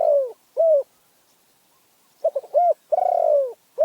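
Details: Spotted dove from Phrae, said to have a small, fierce voice. Two long sliding coos open the clip, then a pause, a quick stuttering run of short notes and another long falling coo.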